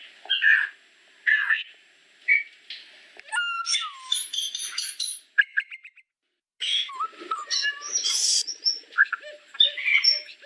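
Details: Solitary cacique in full song: a long, jumbled series of scratchy chatters, bright squeaks, sliding whistles and low ticking rattles, with one silent pause.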